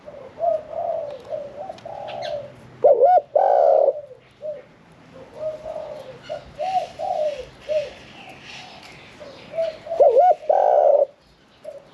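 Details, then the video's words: Spotted Dove kept caged for 1 year 4 months, singing in the 'khan yon 1 kuk' style with a medium voice. Runs of soft hooting coos surround two loud rolled coo phrases. Faint high chirping from other birds is heard. "ฟังเสียงขันนกเขาใหญ่ { ขันโยน 1 กุก}"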